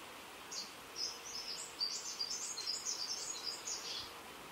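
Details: Male Greater Double-collared Sunbird in a continuous burst of very high, tinkling twitters. Quick squeaky notes tumble for nearly four seconds, a little over one note per second, against low, even background noise.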